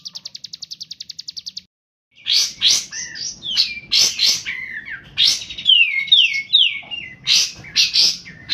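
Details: Kolibri ninja sunbird in lively song, used to coax young sunbirds to sing: a quick high trill, a pause, then loud sharp notes mixed with descending whistled slurs.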